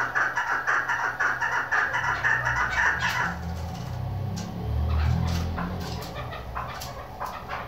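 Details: A female chukar partridge, a call used in hunting, gives quick, repeated clucking notes for about three seconds, then a low rumbling background takes over with a few faint clicks.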